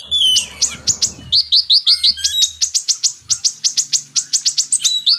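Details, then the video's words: Purple-throated sunbird (kolibri ninja) song paired with magpie robin song as tutoring material for captive birds: a short noisy start, then a long run of quick, high, sharp, downslurred chips about five per second. "MATERI KACER X KONIN (Kolibri Ninja)"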